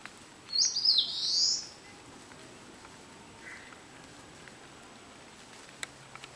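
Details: A single loud, buzzy, high-pitched phrase from an Eastern crowned warbler, about a second long and wavering in pitch. Quiet hiss follows, with an occasional faint click.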